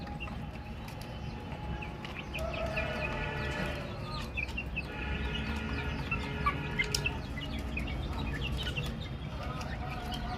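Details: Chicks chirping continuously, overlapping peeps and drawn-out whistled notes forming a busy chorus that swells slightly midway, over a persistent low hum.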